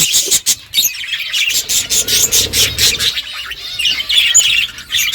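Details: Pet budgerigars chirping while eating: a busy chatter of high scratchy warbles and short squeaks, with sharp clicking seed-cracking sounds running through it.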